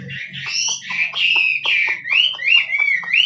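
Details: Chinese hwamei of the forest singing kích trống style: a chain of slurred, loud whistles rising and dipping, broken by short sharp notes, over a faint low hum.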